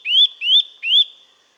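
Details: Eurasian nuthatch giving three clear, rising whistles in quick succession, each sliding upward and ending sharply, spaced about 0.4 seconds apart against a silent background.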